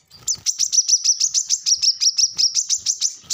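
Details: Brown-throated sunbird, known locally as kolibri kelapa, in lively chattering song used as a lure to get captive birds singing: a fast, steady run of high, thin sweeping notes, roughly three per second.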